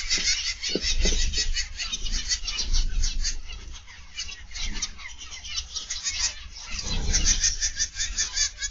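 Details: Several captive zebra finches in an aviary on the afternoon of 31 August 2021 give constant overlapping nasal toots and short buzzy beeps, a busy chattering flock sound, with low background hum and occasional soft thumps.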